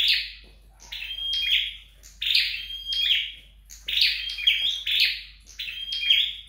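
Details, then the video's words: Flowerpecker being trained indoors at home, singing rhythmic high buzzy bursts, some paired, with faint steady whistles threaded through, repeated about every second. "Dợt Sâu Đầu Đỏ Tại Nhà"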